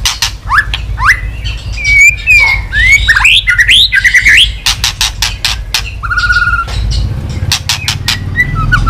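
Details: Excited white-rumped shama singing and tail-beating after being stimulated. A varied run of rising whistles and twisting warbles gives way to a long steady whistled note, with loud crisp clicks scattered between and a low hum underneath.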